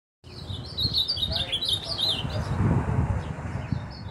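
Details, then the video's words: Ultramarine grosbeak singing frenziedly: a fast run of warbled, looping whistled phrases over about two seconds, then fading, with a steady low rumble of background noise throughout. "Azulão Frenético"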